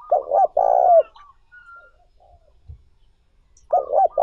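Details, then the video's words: Spotted dove call used to stimulate wild doves and train decoy birds: two short throaty coos, then a longer drawn-out coo that slides down at the end. A second phrase begins near the close. "Tiếng Chim Cu Gáy Mới Nhất, Siêu Kích Bổi"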